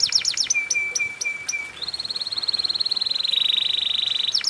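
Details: Canary singing a cengkok mewah lure song: fast falling sweeps give way to a flat sustained whistle, then a long, even, rapidly pulsed roll that dips slightly in pitch before sharp sweeps return.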